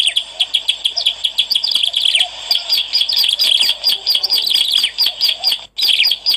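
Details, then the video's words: Lure recording of a bar-winged prinia singing, a busy run of high, clipped chirps in quick succession, broken by a brief silence near the end before resuming. "SUARA PEMIKAT CIBLEK ALANG-ALANG GACOR"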